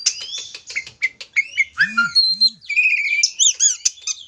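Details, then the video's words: Oriental magpie-robin (kacer) song played to provoke a bird into singing: quick chirps and whistled slurs, a pair of low swooping notes, then repeated arching whistled phrases. "Kacer gamuk ampuh pancingan burung Kacer gacor"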